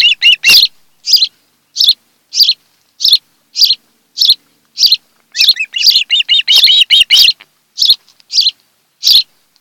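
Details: Ospreys of a mated pair at their nest on Kent Island, Maryland, recorded by a nest camera on an afternoon in late July 2018. Loud, high, sharp whistled chirps come in short bursts, with a rapid excited run of piping notes midway.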